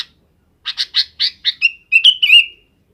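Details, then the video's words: Sooty-headed bulbul calling in the afternoon to gather companions for roosting: a quick run of six bubbly chirps, then a clear, slurred whistled phrase dipping and levelling at the end. "suara kutilang di sore hari"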